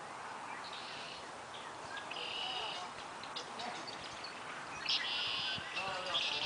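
Several birds chirp in quick, high bursts over steady background noise, some calls buzzy and bright, others short repeated notes.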